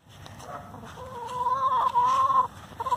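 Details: Free-range domestic hen complaining, a squabble the keeper links to picky choices over laying nests: one long, drawn-out nasal cry, slightly rising and wavering, swelling louder through its second half before a short final note.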